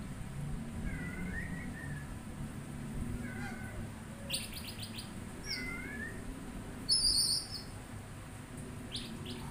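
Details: Oriental magpie-robin repeating clear, dipping two-tone whistles, interspersed with stuttered scratchy bursts and one loud harsh buzz near the end, over low ambient noise.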